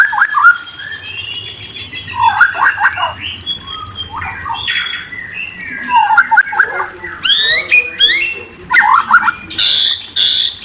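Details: White-rumped shama (murai) singing a varied run of whistles and trills: short falling and rising whistled phrases with brief pauses, then sharp high sweeping notes and buzzy bursts toward the end, over a faint low hum.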